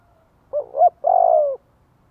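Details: Decoy spotted dove calling to lure wild birds into cooing back: a wavering double-humped low note, then a drawn-out, even coo that drops slightly at its end. No other sounds are heard.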